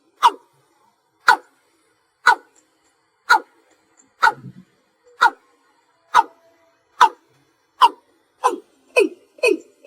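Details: Watercock (cúm núm) at night, giving slow single-note calls: about eleven abrupt knocking notes, evenly spaced at first, then speeding up and growing deeper toward the end.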